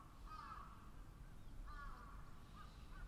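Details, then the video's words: Crows calling: a rough caw at the start, a gap, then two more hoarse caws later on, with low-pitched background noise throughout. "Crows' Chorus"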